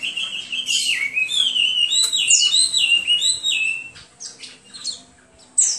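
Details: Hwamei song of loud, rich whistles, first a falling phrase, then quick rising-and-falling repeated notes, ending in softer, scattered high notes.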